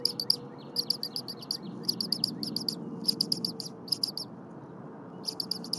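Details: Morning of January 23, 2022: the Berry College eaglet, already fed within the hour, keeps chirping as its mother preps prey. Sharp high peeps come in fast runs separated by short gaps, with a low hum beneath.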